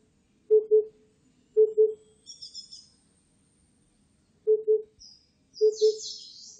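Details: Low, mellow double hoots of an Oriental cuckoo, four paired notes spaced unevenly a second or more apart, with high thin chirps and a brief twittering burst from other birds.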